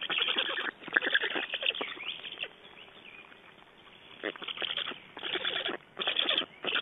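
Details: Nestling black storks in Estonia, 8 June 2012, begging as fish are delivered: bursts of rasping, rapidly repeated calls with a quieter pause in the middle before the noisy chorus resumes.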